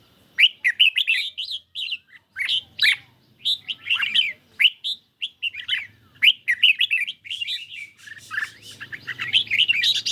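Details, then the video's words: A caged red-whiskered bulbul answers a phone recording in a singing duel in light sunshine, pouring out short bouncy phrases of sharp, ringing notes almost continuously, with a soft low rumble near the end. "Chim Chào Mào Của A Tủa Hót Đấu Với Điện Thoại Cực Xung"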